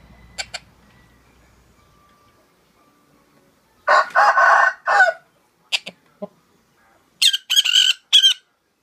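A sun conure gives a loud, rooster-like crow, then sharp high squawks.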